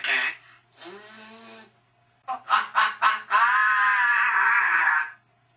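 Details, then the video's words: Pet parrot making harsh, raspy squawks: a couple of drawn-out grating calls, then a burst of four short clipped notes, ending in a long, loud, rasping screech. "parrot charlie makes crazy sounds"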